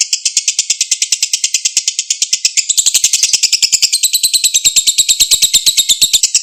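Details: Long 'ngekek panjang' of a lovebird, played to coax a silent lovebird back into song: a continuous shrill, rattling chatter of fast pulses, about six per second, its pitch shifting upward midway without a break.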